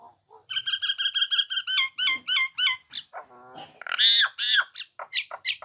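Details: Nias hill myna in lively song: a fast train of about a dozen rich, evenly spaced two-tone whistles, then lower throaty notes, a loud harsh burst, and several falling calls.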